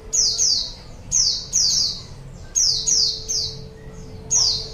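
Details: Pleci, a white-eye, in a lure recording for wild birds: quick high descending notes, often in close pairs, about nine in under five seconds, with a steady faint hum behind.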